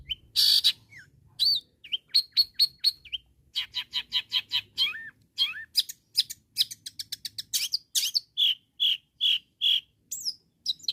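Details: Long-tailed shrike in strong song, calling rivals to get other shrikes singing: a harsh opening burst, then rapid chattering and ticking notes, slurred whistles, and finally a run of evenly repeated short whistled notes.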